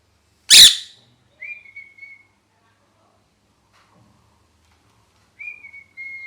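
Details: Pet parrot in molt: one loud, harsh, raspy squawk followed by two clear level whistles several seconds apart.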